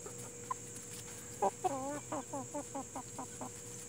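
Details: Plymouth Rock and Hamburg chickens: a couple of sharp notes followed by a rapid series of harmonic clucks, about eight in two seconds, against a low constant hum.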